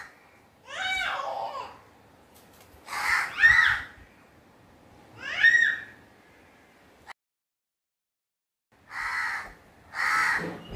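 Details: Crow calling with harsh, hoarse caws in separate bursts roughly every two seconds, a pause near the middle, then two more raspy caws; faint background hiss throughout.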